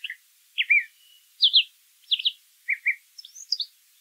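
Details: Brown thrasher delivering a string of short paired phrases, sharp slurred chirps at shifting pitches, ending with higher thin notes; no other sounds.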